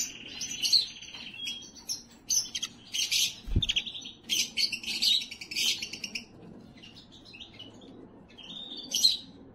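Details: Canary song meant to excite and prepare females for raising chicks: a string of varied phrases with rapid trills, rolled rattles and bright chirps, broken by short pauses and one sharp low knock.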